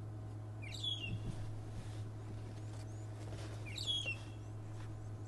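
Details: Magpie shrike (long-tailed shrike) heard from a safari vehicle at Djuma Game Reserve, South Africa, on a morning drive in July 2011: two brief, soft, slurred whistles about three seconds apart, over the steady low rumble of an idling engine.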